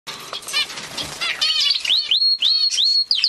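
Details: Gloster canary singing: a noisy, chattering start gives way to bright rising whistles and quick repeated upward-sweeping notes, high-pitched and lively.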